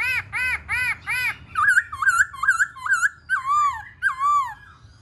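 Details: Black-throated laughingthrush song during a dance display, with several loud arched notes followed by a chain of twisting, warbling whistles that descend at the end.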